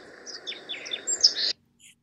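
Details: Red Crossbill flight calls: quick series of short, sharp, high kip notes about every quarter second, with other species calling over the top (possibly an Evening Grosbeak) and a steady low hum.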